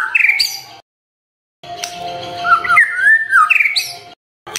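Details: White-rumped shama song used at morning to get silent birds singing: a short harsh burst, a pause, then a stretch of sliding whistled notes over a faint steady hum.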